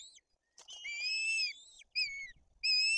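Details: White-tailed eagle nest, Bory Tucholskie, Poland, during feeding of two chicks with an aggressive older chick: a short stretch of high, sustained whistles, one long falling note followed by two shorter piping calls.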